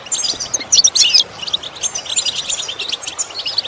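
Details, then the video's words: European goldfinch song used to train goldfinches to improve their song: rapid, high tinkling twitters and chirps in dense bursts, loudest around the first second, then lighter scattered notes. "Training The Goldfinch To imitate Sounds Useful Lessons to improve Song"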